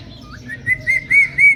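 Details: Pet Indian ringneck parrot reacting to its reflection in a mirror, giving a series of four short, loud, clear chirps that rise then hold steady, repeated about every quarter second after a soft rising note, over a quiet background.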